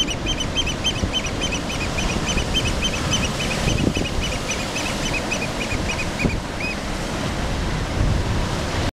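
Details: Black oystercatchers at the mouth of Lobo Canyon, Santa Rosa Island, Channel Islands, California, give a rapid run of loud, piercing whistled wheep calls, several each second, over steady surf roar.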